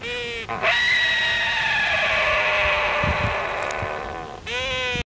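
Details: Wandering albatross (Diomedea exulans) in its courtship display known as sky calling, part of the nuptial mating dance. Loud, harsh, sustained braying tone lasting about four seconds, with shorter harmonic brays at the start and end.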